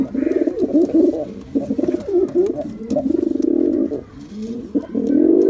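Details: Nearly continuous pigeon cooing, low and warbling, with rapid pulsing phrases that run into one another and only short breaks.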